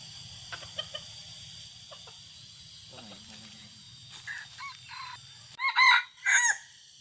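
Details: Red junglefowl in forest during a hunt; quiet stretch with faint scattered ticks and a soft low note, then three loud, harsh harmonic calls in quick succession near the end over steady background hum.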